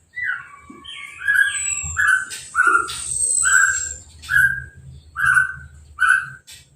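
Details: Orange-headed thrush, caged, freshly moulted and just bathed by hose spray, singing without a cover. A series of short, bright, slurred notes repeated about once a second, plus a thin high whistle and a low background hum.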